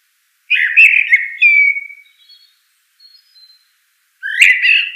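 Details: Common blackbird phrase of warbled flutey notes ending in a sliding whistle, followed by a faint high twitter, a pause, and the start of another rich phrase.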